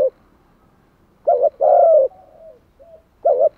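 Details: Spotted dove kept as a lure for wild doves, uttering a quick doubled note, a long full coo, faint trailing coos, then the doubled note again.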